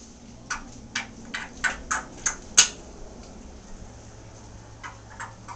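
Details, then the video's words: Merryweather, a Timneh African grey parrot kept as a pet indoors, chats away with runs of sharp, dry clicks, about three a second, then softer clicks and cute baby sounds, over faint room hum. "chatting away clicking ,making some cute baby sounds"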